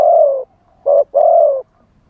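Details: Spotted dove kept as a live decoy for luring wild doves, wild-style delivery: a long hollow coo, a short clipped note, then another drawn-out mellow coo, with near silence around.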